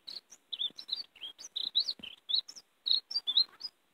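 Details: European greenfinch song used to lure and catch greenfinches: a rapid warbling run of short, high twittering chirps and brief trills, packed closely with tiny pauses between notes.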